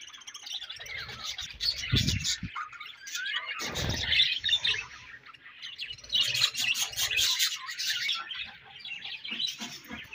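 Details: Busy budgerigar chatter: rapid high twittering and squeaky chirps in overlapping bouts, with a few low thumps and rustles between the louder stretches.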